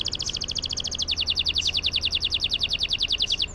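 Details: Singing canary rolling at length to prompt silent canaries: a fast, regular, high-pitched trill of clipped notes that shifts pitch slightly after one second, with steady low background noise.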